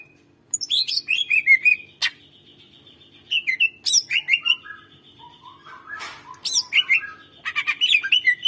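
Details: An energetic greater green leafbird sings as a lure for silent birds, giving a dense run of rich whistles, rattling chirps and buzzy notes that follow almost without pause, with a brief harsh rasp partway through.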